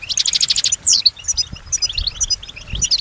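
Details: Short European goldfinch phrase from a pet bird noted for imitating surrounding sounds: a fast rattling trill, a sharp descending whistle, then scattered soft twitters.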